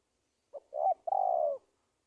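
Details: Spotted dove lure call used for trapping wild doves in Indonesia: a short low note, then a rising coo and a longer falling, slightly rough coo, all clean and close.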